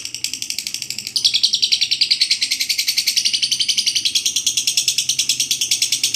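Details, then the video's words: Ngekek panjang, the long chattering song of a lovebird, recorded for training other birds: a softer start, then from about one second a loud rapid train of harsh, high, buzzy notes that repeats evenly to the end. "masteran burung Lovebird ngekek panjang"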